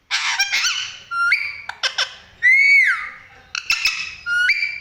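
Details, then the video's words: Pet parrot indoors making varied sounds: harsh raspy squawks, sharp clicks, and clear whistles that jump upward or slide downward, in separate bursts with short pauses between. "parrots ||mithu making different sounds"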